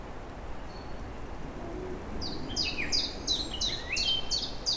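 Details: Bird singing in April as newly arrived birds form a spring chorus: after a faint note, a rapid series of clear, downslurred whistles, each paired with a lower note, over steady low rumbling noise.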